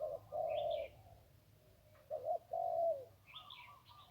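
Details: Single-kuk crow of a wild zebra dove by the Ping River: a sustained low rolling coo, a pause, then a short note leading into another long coo, with higher twittering from a second bird.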